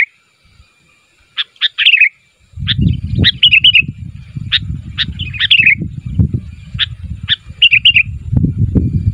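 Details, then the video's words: Sooty-headed bulbul calling so that other bulbuls answer: short bright chirps and bubbly warbled phrases come in bursts, with pauses between, over steady low rumbling background noise. "SUARA BURUNG KUTILANG MEMANGGIL, KUTILANG LAIN MANA TAHAN GAK NYAUT"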